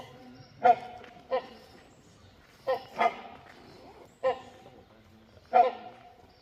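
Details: Great hornbill, one of a perched pair in forest near Jim Corbett National Park, Uttarakhand, India, gives loud, harsh barking calls, six in about six seconds, uneven, some doubled; faint voices behind.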